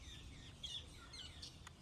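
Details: Metallic starlings (Aplonis metallica) give thin, harsh, high screeching calls in quick overlapping bursts from a nest tree holding their dried-grass nests, Cairns Botanic Garden, tropical northeastern Queensland, Australia, on a sunny day, over a low background rumble.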